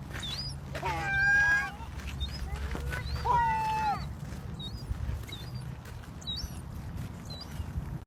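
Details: Gull chick begging its mother for food while she throws food to it: drawn-out squealing whines with harmonics, then thin high peeping notes repeated irregularly, over a low background rumble.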